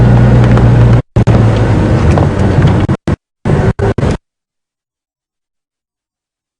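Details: A safari vehicle's engine rumbles steadily at Djuma Game Reserve, cuts out briefly and returns in short bursts, then gives way to silence for the last few seconds.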